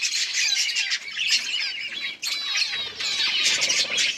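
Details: Crowded zebra finch colony in an aviary, 15 October 2023: continuous thick chorus of high, nasal, squeaky calls from many birds overlapping without pause, with a brief dip midway.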